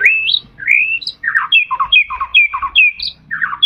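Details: White-rumped shama, captive, its song used to encourage other shamas to sing; rising whistles open, followed by alternating clear high notes and lower gurgling phrases in a fast repeating pattern.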